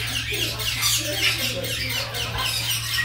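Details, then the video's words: A red-tailed grey parrot showing affection to a parrot friend, including regurgitating food as a sign of love, makes a continuous stream of raspy, hissing squawks and soft chatter, high and breathy, over a steady low electrical hum. "Yaco de cola roja expresando su afecto a su amigo"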